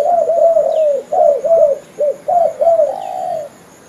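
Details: Spotted dove, known locally as derkuku or tekukur, giving a lure call used for trapping: a run of rhythmic, slurred cooing notes, each dipping and rising, strung together in quick phrases that end in a longer drawn coo.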